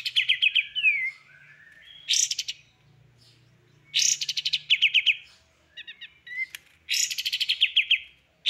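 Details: Songbird heard in a full tembakan masteran used to train songbirds: sharp high bursts that break into fast descending trills, with whistled slurs and short gaps between phrases.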